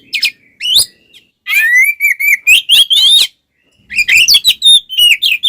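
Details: Oriental magpie-robin singing a combative kacer song used to anger other males: a long run of rich warbled, slurred whistles mixed with buzzy, crackling notes in two lively bursts separated by a short pause.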